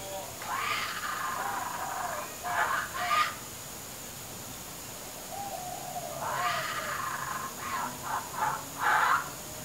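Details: Hungry baby kookaburra perched on a clothes hoist, giving a weird gurgling noise: two bouts of harsh, throaty, bubbling notes, each lasting about three seconds and ending in a few louder bursts, with a steady faint background hum.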